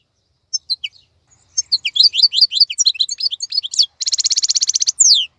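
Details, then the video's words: European goldfinch, described as a khalawi goldfinch still singing actively while other birds are quiet and molting; sparse high chirps, then a fast liquid twitter of tinkling notes and a buzzy nasal trill near the end. "تغريد افضل من كل تغاريد طائر الحسون الخلوي"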